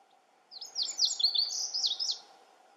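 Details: Lazuli bunting, one of several singing constantly at Camas Meadow, gives a quick high phrase of sharp chirped and slurred notes lasting under two seconds, over a steady low hum.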